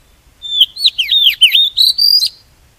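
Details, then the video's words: Oriental magpie-robin decoy song, played to attract wild birds for trapping and to stimulate singing: one bright two-second phrase of about eight clear whistled notes, each dipping and rising, ending on a higher sustained whistle. Quiet background. "Tiếng chim chích chòe than mồi dùng để bẫy chim và kích chim hót"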